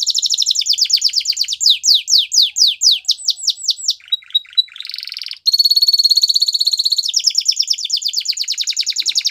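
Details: Canary singing to train young canaries: rapid high rolling trill into a series of sweeping whistled notes, brief soft clicks, then a loud sustained vibrating trill that fades into a faster rattle.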